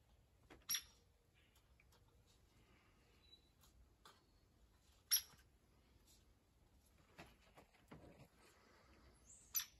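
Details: Female hairy woodpecker at Lake Bellaire, 20 May 2022, unhappy and squeaking her displeasure about slim pickings: a few sharp, thin, very high squeaks spaced several seconds apart against quiet background.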